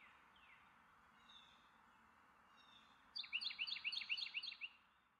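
Carolina wren: a quick, rolling burst of about eight loud, ringing high phrases lasting under two seconds, after a few faint thin notes over a soft hiss.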